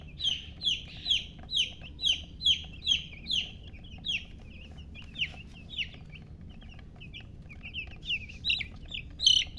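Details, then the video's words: Baby chicks chirping: a steady run of high, sharply falling peeps, roughly two or three per second, with a brief lull midway before the piping resumes, over a low background hum. "silly chicken chirping sounds"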